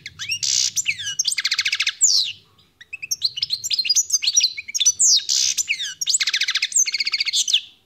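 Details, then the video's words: European goldfinch described as khalwi (wild), singing a fast, high twittering song of buzzy trills, liquid chirps and rapid rattling series in bursts separated by brief pauses, with a faint low hum underneath. "تغريد طائر الحسون"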